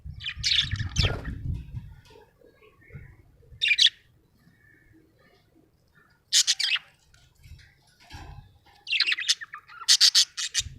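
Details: Happy pet budgie uttering spaced bursts of raspy, chattering chirps and squeaks, with brief low handling or tapping noises in between.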